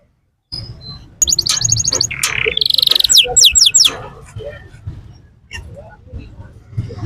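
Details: Canary at the Quetta Sunday Bird Market bursting into a short song of rapid trills and fast descending whistled notes for about three seconds, then quieter background murmur.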